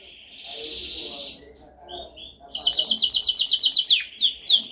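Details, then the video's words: Canary training song: a soft, buzzy sustained tone, a few brief whistled notes, then a loud rapid trill of repeated bright notes with sweeping slurs at the end. "Canção mais dominante de canary para treinagem."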